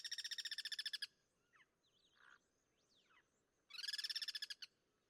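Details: Wild guira cuckoos cross-singing in natural habitat; a fast pulsing rattle, then a pause with thin slurred whistles of other birds, followed by another loud burst of quick harsh pulses.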